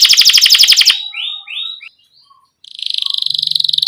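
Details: Canary song played to train young canaries beginning to sing: a fast pulsed trill, a few short falling whistled notes, a brief pause, then another rapid, even, high trill.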